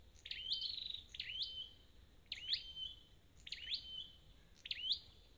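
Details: Wild-caught red-headed flowerpecker kept to restore its voice, singing a series of five thin, high, sharply rising-then-falling notes, each roughly a second apart, over a quiet background.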